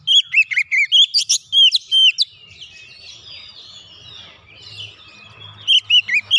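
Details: Oriental magpie-robin (kacer) in lively gacor song, meant to get a silent bird singing again: rapid loud whistled phrases with rising and falling slurs for two seconds, a quiet stretch of soft background twitters, then fast whistles return.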